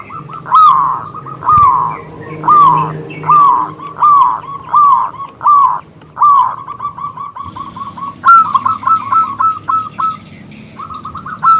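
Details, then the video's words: Local zebra dove, a loud crystal-voiced bird, calling to draw a male into singing; rapid runs of short bubbling coos around one pitch, several loud bursts separated by pauses, with a second, softer dove chattering in the background. "PERKUTUT lokal Gacor Suara BESAR Kristal Memanggil JANTAN ngajak BUNYI"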